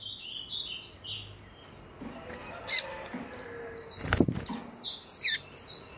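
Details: Female Double-collared Seedeater calling to excite males: high, quick twittering notes throughout, one sharp chip, and a burst of rustling, flapping noise midway.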